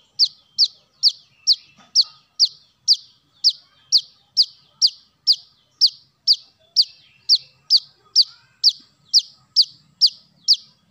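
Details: Brown-throated sunbird, kolibri kelapa, played to attract birds: a long unbroken series of shrill, falling chip notes delivered at a quick even pace, a little over two per second, against a quiet background.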